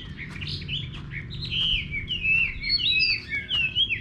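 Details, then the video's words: Chinese hwamei singing in a countryside garden: a varied run of loud whistled phrases, rising and falling notes and slurred trills, with a low steady hum underneath. "Nghe Chim Họa Mi Hót"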